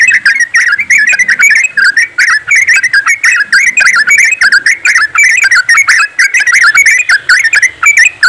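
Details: Many yellow-vented bulbuls singing at once in 'ropelan' style, played as a lure so birds start singing; long, dense babble of bubbly whistled phrases, overlapping and continuous throughout.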